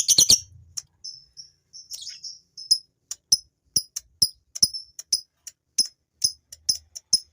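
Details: Male fighter lovebird calling with quick, piercing high chirps and short whistled notes, some in close pairs, steadily spaced, intended to rouse females into ngekek chatter.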